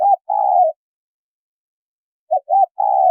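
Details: A female spotted dove calls to rouse a male into cooing: a short coo and a long level coo, a pause of over a second, then two short arched notes and another long, gently falling coo.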